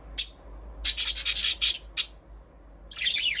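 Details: Budgies in chirping mode, giving a sharp high note, then a rapid rattling series of bright, harsh chirps, a final short one, and a warbling, twittering phrase at the end over near-silent background.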